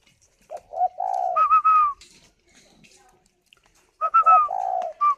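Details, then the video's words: Spotted dove in a Vietnamese breeder's aviary, cooing while incubating: two phrases, each of rising low coos ending in a higher clear drawn-out whistled note, separated by a silent gap. "chim cu gáy hay vừa ấp vừa gù"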